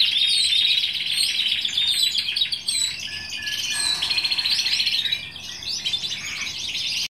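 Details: Singing Timbrado canary, bird 269 of 2015, delivers unbroken rapid trilling: bright whistled rolls, clicking rattles and a sustained steady tone, intensity dipping briefly near the end.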